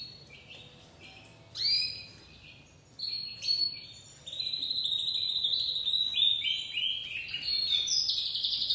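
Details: Young crested white domestic canary in early song, starting with a few separate sharp notes, then breaking into a sustained rapid warble of high trills and stepped whistled tones.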